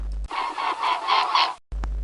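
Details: A mute swan (Cygnus olor) gives a hoarse, nasal series of about five quick snorting notes over a second and a half, with a low electronic hum before and after.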